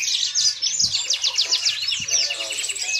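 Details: A yellow-fronted canary kept as a songbird rattles off a fast series of sharp, evenly spaced high notes, several per second, forming a bright chattering trill with a couple of soft taps.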